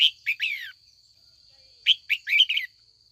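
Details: Red-whiskered bulbul female, used in the afternoon to draw older wild-caught males into singing duels, gives two short chattering phrases of three to four liquid, slurred notes about a second and a half apart; a constant high-pitched whine runs underneath.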